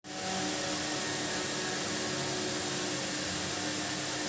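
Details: A fan-like hiss with a steady hum starts abruptly and continues indoors, with no animal sound.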